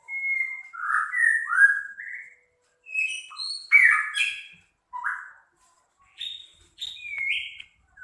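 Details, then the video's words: White-rumped shama, Medan type, in harsh training song for tutoring other birds: quick phrases of slurred whistles, sharp chips and high twitters in separate bursts with short gaps between them. "kicau murai medan kasar abis//untuk masteran burung"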